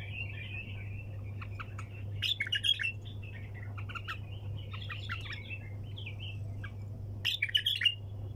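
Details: Bulbul in 'hunter' style (tor sayyad) with wing taps: continuous scratchy, warbling twitter with quick sliding notes, punctuated by louder snapping clicks near the start and end, with a constant low hum beneath.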